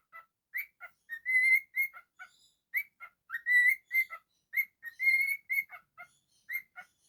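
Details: Captive cockatiel performing a whistled song: bright, clear notes in short bursts and a few longer sustained tones, delivered in an uneven, chattering rhythm in a quiet room.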